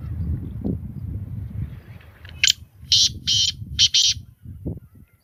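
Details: A single loud, scratchy phrase of about five short buzzy notes from a black francolin, preceded and followed by low background rumble.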